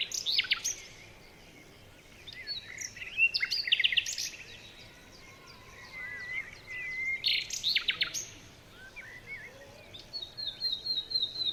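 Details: Forest birdsong at morning: bursts of sharp chirps and short buzzy trills separated by quiet gaps, with thin high whistles and a steady faint hiss throughout.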